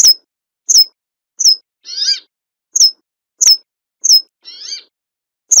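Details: Brambling repeating short piercing downslurred notes roughly every 0.7 seconds, with two lower, buzzy, wheezy notes inserted between them.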